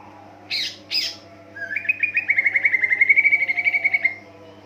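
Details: Greater green leafbird song played to make other leafbirds join in: two loud harsh notes, then a long rapid chattering trill of about twenty even pulses at a steady pitch, fading out.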